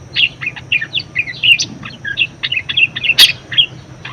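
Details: Budgerigar warbling, a lively singer used to lure and tutor other songbirds: rapid strings of scratchy chirps and squeaks running without pause, one sharp click near the end, over a faint steady hum.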